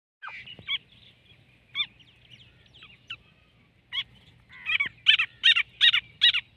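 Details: Partridge calling: sharp, harsh notes at first spaced apart, then a loud run of five quick, strident calls close together near the end, with a faint low hum beneath.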